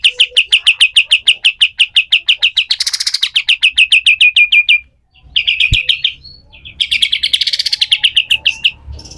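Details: Pied triller, a rough 'besetan kasar' style song used as a tutor recording for other birds: long run of rapid, sharp repeated notes, a harsh broadband burst midway, a short pause, then further fast chattering phrases.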